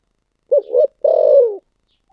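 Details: Thổ sấm style cooing from a spotted dove: two rounded short notes, then a longer steady coo sinking in pitch. Quiet surroundings.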